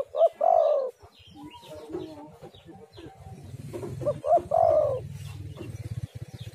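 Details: Spotted dove call used as a lure to draw other doves and prompt them to call. Two soft low coo phrases, each a short note followed by a longer wavering coo, about four seconds apart, over faint low background rumble.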